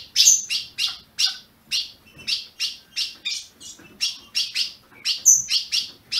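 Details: Caged Ultramarine grosbeak from a registered Brazilian breeder, meant to stimulate a captive bird. About fourteen crisp, high chirps follow steadily at roughly two per second, some with a thin whistled tip.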